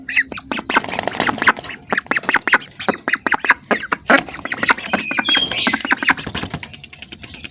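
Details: A group of hungry ducks heard at close range, pouring out fast, rough quacks in a steady clatter, with a faint rising squeal partway through.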